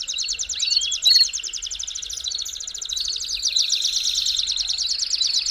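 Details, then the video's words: Belgian canary performing song to warm up canaries, a long even buzzy trill of quickly repeated high notes with an early upward slide, then a brighter, denser roll. "CANTO PARA ESQUENTAR CANÁRIO BELGA RÁPIDO!!!"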